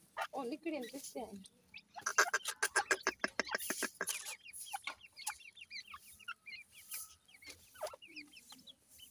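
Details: Black francolin chicks fighting inside a house: an opening wavering chirp, then a fast run of sharp ticking notes, followed by scattered thin upslurred peeps.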